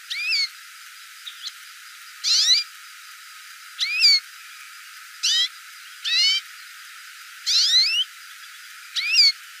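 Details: Hooded siskin repeating sharp, harmonic call notes, about seven in ten seconds, each a quick high sweep upward or downward, with a couple of tiny clicks between them.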